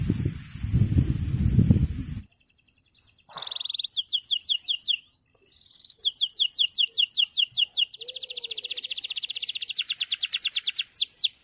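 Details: Male canary singing for training young birds, opening with a burst of low noise before high whistles, repeated falling notes and a long fast trill of high notes.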